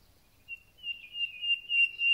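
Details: Thrush nightingale singing in full voice at the start of spring: a sustained pure whistled note, held level and swelling louder in pulses over about a second and a half, against a quiet background.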